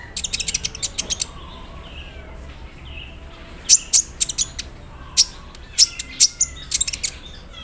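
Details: Sunbird kept in captivity and misted in the morning, delivering an embroidery-machine style song: a quick rattling series of high clicks, a quiet pause with faint twitters, then scattered sharp chips.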